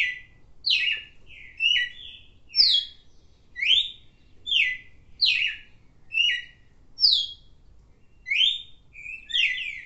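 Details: Red-cowled cardinal song of bright, clear whistled notes, some falling and some doubled, repeated at a lively, fairly even pace over about ten seconds, with occasional soft ticks in a quiet setting.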